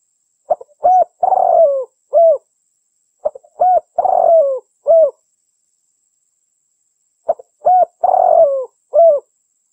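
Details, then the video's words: Female spotted dove cooing, a call used to lure males: phrases of soft hollow coos, a few clipped notes followed by a longer drawn-out falling coo, repeated about every three seconds in a quiet setting. "Burung derkuku betina bagus buat pancingan jantan"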